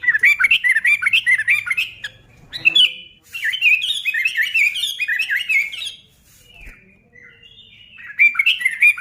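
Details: Sooty-headed bulbul singing vigorously, used to provoke other bulbuls into singing: rapid bursts of bubbly, chattering notes, rising and falling, in phrases of about two seconds broken by short pauses, then resuming loudly at the end.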